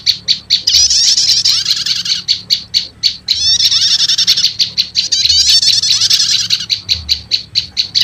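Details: Lure recording combining prenjak lumut, olive-backed tailorbird, with prenjak setater, said to quickly call in wild birds; regular sharp high chips about twice per second alternate with long buzzy chattering trills and falling sweeps.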